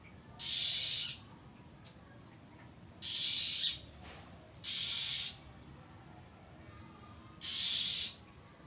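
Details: Oriental magpie-robin calling loudly and threateningly for a long time, 1 April 2023: four harsh hissing rasps spaced a few seconds apart, with faint thin whistles between.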